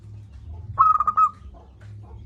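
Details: Loud local zebra dove, recorded as a master lure for doves that are slow to call: one bright phrase of five rapid, bubbling coos lasting about half a second, with a low hum underneath.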